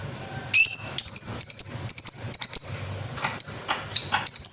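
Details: Lovebird singing in the 'ngekek' style: a long, shrill, very high chatter of rapid piercing notes strung into sustained bursts, pausing briefly near the middle before resuming in several short high squeaky runs.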